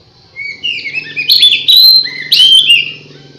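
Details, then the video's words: Oriental magpie-robin song used as a lure to draw other magpie-robins together: loud, varied, overlapping whistles and slurred high phrases, rich and continuous for about two and a half seconds, over a faint low hum. "suara pikat burung kacer"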